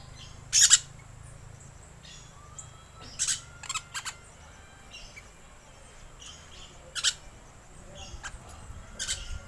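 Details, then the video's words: Green lorikeet calls used as a lure: grating, high screeches at irregular intervals, a loud double burst first, then softer scattered shrieks and thin faint notes, with low background rumble. "Suara Pemikat Burung Perkici Hijau"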